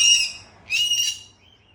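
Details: A playing parrot ends one loud harsh chirp, then after a short gap gives another rasping chirp, followed by a faint thin trailing note.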